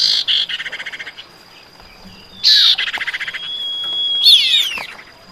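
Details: Female common iora calls to the male in a lure recording: a fast pulsed rattle, then a loud raspy burst with a long level whistle, ending in twisting whistled notes.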